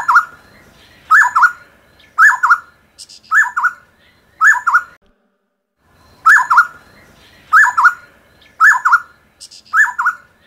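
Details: Repeated rich two-note hoots from a black-necklaced scimitar babbler, a Taiwan endemic of low-altitude mountain shrubs and grasses, come in a steady series of about one per second, broken by a pause midway, with faint higher chirps.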